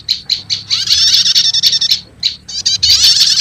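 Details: Prenjak lumut and prenjak setater prinia lure mix for calling wild birds: a few loud high chips lead into a dense, shimmering chatter, a brief pause, then more chips and chatter.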